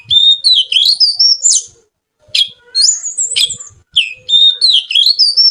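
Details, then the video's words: Oriental magpie-robin (kacer) with lively, melodious song: three bursts of fast, varied high warbling, each full of slurred whistles and sharp clicks, separated by brief pauses. "Suara Kicau Kacer Gacor Merdu"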